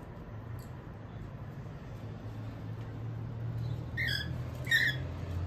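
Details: Two short, harsh, rising calls from female cockatiels over a steady low rumble.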